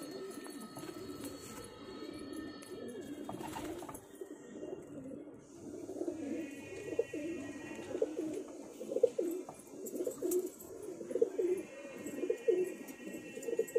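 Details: Two pigeons of a pair give low rolling coos, growing louder and more pulsed in the second half, against hiss and faint higher tonal background sounds.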